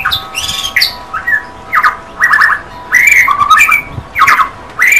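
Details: White-rumped shama (Copsychus malabaricus), song.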